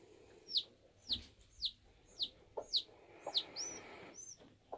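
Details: A newly hatching bantam chick at a homestead, emerging from its egg: about seven sharp, high, downward-sliding peeps, roughly two per second, with faint low clucks between them.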